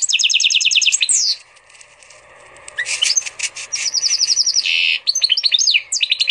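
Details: Canary x Portuguese goldfinch hybrid, bred from a female canary, singing a lot: fast repeated chirping trill, a downward slur, a brief lull, then buzzy trills and chattering notes resuming.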